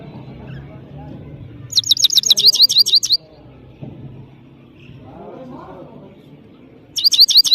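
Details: European goldfinch (saira) from Parachinar singing powerfully: a quick series of bright, high chattering notes lasting over a second, a pause with faint low background noise, then another short twittering burst.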